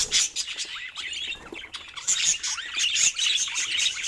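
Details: Budgerigar kept as a pet, producing rapid warbled chirps and sharp squeaky notes that run almost without break, some notes sweeping up and down.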